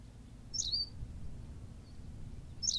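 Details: Short, high-pitched, slurred call notes of a Berthelot's pipit from La Gomera, Canary Islands: one clear chirp early, another starting at the very end, over a low hum.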